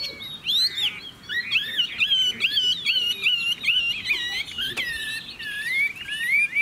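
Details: Caged Chinese hwamei singing a continuous, varied stream of wavering whistled phrases, some looping high and others gliding down, with a sharp click midway.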